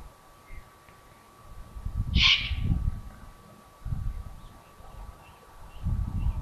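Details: Eurasian eagle-owl from a family living at the Königstein castle ruin, Taunus, Germany, recorded in the evening of 15 July 2020. One loud, raspy hissing screech stands out over recurring low rumbling gusts and background hum.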